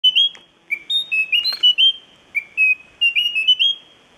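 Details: An endemic Munchique wood-wren (Henicorhina negreti) at La Mesenia in the Western Andes (Chocó) in July 2013 calls with a quick string of clear, pure whistled notes stepping up and down in pitch, with no background sounds.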